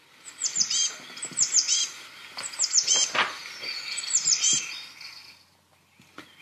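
Eurasian Blue Tit giving thin, very high, down-slurred notes in quick bursts of three or four, repeated about once a second.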